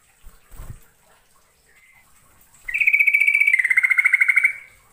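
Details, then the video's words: Trucukan, the yellow-vented bulbul, from East Java, Indonesia, in a lure recording of long rolling song: a few soft notes, then a sustained rapid pulsed trill nearly two seconds long that steps slightly lower partway through. "KICAU TRUCUKAN PIKAT GACOR FULL ISIAN (YELLOW-VENTED BULBUL)"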